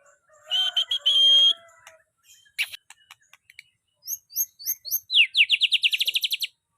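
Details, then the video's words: White-rumped shama giving a sustained high buzzy note, scattered clicks, a few separate high slurred whistles, then a fast, even burst of about a dozen sharp repeated notes. "burung murai batu"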